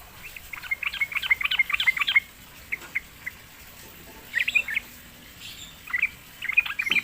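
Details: Sooty-headed bulbul lured into singing: an opening run of rapid chattering notes, then short isolated chirps and two further brief bubbly bursts.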